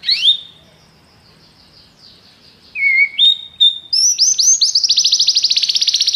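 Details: A canary sings high whistled notes and slides, then breaks into a fast, rolling trill, song used as training to prompt other canaries to sing.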